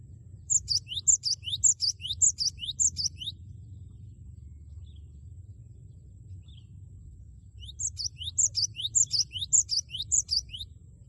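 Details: Loud, bold Cinereous tit song given to stir a rival into singing along, 'wucit wucit': two bouts of rapid, high, repeated three-note whistled phrases separated by a few seconds of low rumbling background.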